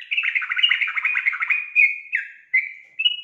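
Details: Female sooty-headed bulbul calling a male to sing along; a rapid bubbly chatter of warbled notes followed by three separate clear whistled notes, the last rising.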